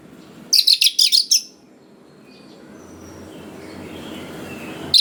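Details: Oriental magpie-robin song used as a lure to rouse young wild birds into answering: a quick run of about eight harsh, scratchy high notes lasting under a second, followed by quiet with faint background hiss and a final note at the end.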